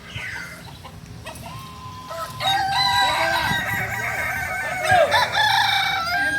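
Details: Native Kokok Balenggek chicken from Solok, West Sumatra, crowing during a training session: a short upward note, then a long layered crow of undulating syllables, with other roosters overlapping and low background murmur.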